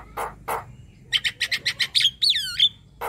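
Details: A young Javan myna in full song gives a varied phrase: two harsh, rasping notes, then a quick run of eight high clipped chips and swooping whistled slurs, closing harshly.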